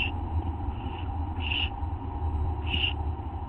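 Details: Barn owl owlets at a nest being fed by their parents, 15 August 2011 at 5:59 AM; three breathy, rasping hiss bursts spaced about a second apart over a constant low electrical hum.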